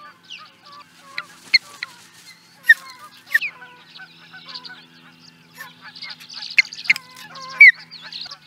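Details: Osprey in Charlo, Montana, USA, recorded in 2017: scattered high, thin whistled notes that slur downward, with several sharp chips among them and brief pauses between, over a quiet background.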